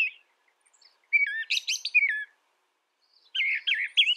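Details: Two bright warbling phrases from a brown thrasher, each a quick tumble of rising and falling whistled notes, separated by about a second of silence.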